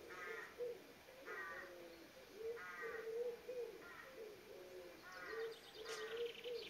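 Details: A Common Blackbird in a Somerset garden, after singing, gives harsh, rattling alarm bursts about every second and a half, over a low steady hum.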